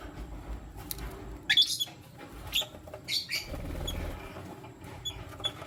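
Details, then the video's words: A male lutino lovebird with two females: harsh, buzzy chirps and thin squeaky peeps in an uneven series, with low background rumble. "Lutino Lovebird Chirping Sound - 1 Male Chooses 2 Females"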